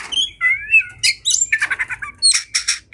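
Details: Agitated oriental magpie-robin (kacer) in fighting mode: a long sliding whistle, then harsh squawky notes and a run of quick stuttered chirps, ending in loud buzzy bursts.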